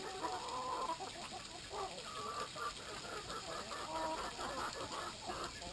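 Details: Brahma chickens gathered at water time, a flock giving soft, harmonic clucks and short murmuring calls that overlap continuously, with steady background hiss.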